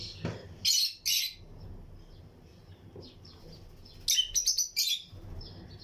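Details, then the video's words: Lutino lovebirds in a breeding colony aviary: two loud chirps at the start, quieter twittering in the middle, then a fast cluster of shrill chirps near four to five seconds. "Lutino Lovebirds Breeding Colony Cage - Chirping and Relaxing Sound"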